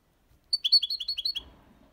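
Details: European goldfinch, six months old, copia Málaga song: a quick series of about seven evenly spaced, high, slurred chirps, then faint low background rumble.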